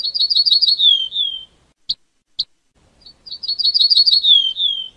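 Ortolan bunting: two clear phrases of five or six ringing, evenly spaced high notes that drop to a lower, fading ending, separated by two short ticks.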